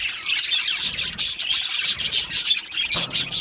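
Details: A pair of male Australian budgies chirp in a rapid, tumbling chatter of bright high tweets and scratchy buzzes, with a louder squeaky burst near the end.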